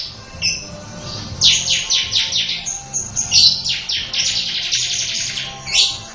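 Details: A bar-winged prinia gives a long 'ngebren' song of rapidly repeated, high, raspy downward-sweeping notes lasting about four seconds, ending with one sharp note, over a low droning hum.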